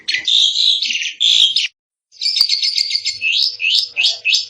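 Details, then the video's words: Asian pied starling in full, vigorous song for training songbirds: a loud rasping whistled phrase, a brief silence, then a rapid chattering sequence of upswept whistles. "Kicau burung jalak suren |Burung kicau jalak suren masteran|jalak uren gacor 2022"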